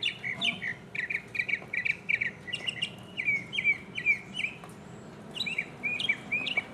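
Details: Solo mockingbird, 2015: a rapid string of the same sharp chirped phrase repeated many times in quick succession, then a switch to a different repeated slurred note series.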